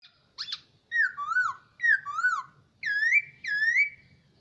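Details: Captive hwamei, a kept bird that has lived a year with its keeper, singing: a short sharp note, then four loud whistled phrases, each sliding down in a rich, slurred sweep, delivered in pairs about a second apart.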